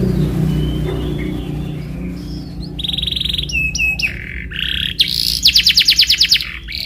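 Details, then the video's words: Canary lure song, meant to make a canary answer and learn a rolling style: low humming background at first, then steady whistles, quick chips and a fast bright trill. "HANYA 15DETIK KENARI LANGSUNG NYAUT ‼️ PANCINGAN Cuit Cuit Cuit Kenari Belajar Bunyi gacor ngerol"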